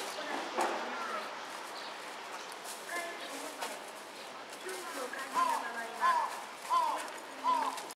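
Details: Large-billed crow gathering at abandoned garbage gives four clear, arched caws, evenly spaced under a second apart, over a faint background of clatter and distant noise.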